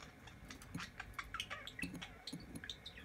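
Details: Newly hatched quail chicks, two days old, fresh from the egg: several high, thin, short peeps scattered rapidly and irregularly, overlapping from multiple callers, with soft low thumps and rustling beneath.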